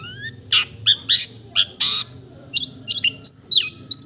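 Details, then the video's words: Cendet, the long-tailed shrike, singing a varied, melodious sequence of high rising whistles, sharp chips and short harsh buzzy bursts, delivered in irregular clusters over a quiet low hum. "the melodious sound of the cendet bird"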